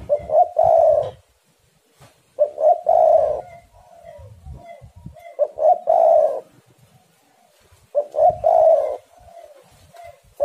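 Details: Spotted dove cooing actively: low, husky coo phrases repeated about every three seconds, each a short introductory note followed by a louder rolling coo and a softer trailing note; scattered low clicks and knocks between phrases.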